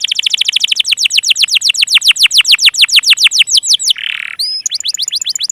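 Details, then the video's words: Canary song used to coax silent or young canaries into singing: a long, rapid series of loud descending sweeps, about four per second, broken by a brief rasp and a few upward-curling notes. "burung kenari pancingan paud dan yg macet"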